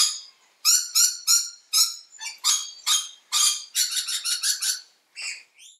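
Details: Close-up of a Mitchell's (scarlet-breasted) lorikeet giving a rapid series of harsh, grating screeches, two or three a second, then a brief pause and a few final squawks; these loud calls keep the swarming flock together.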